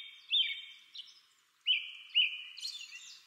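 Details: American robin calling, with long level whistled notes near the top of the range and sharp downward-slurred chips in two close pairs, ending in a brighter, higher burst; no other sounds stand out.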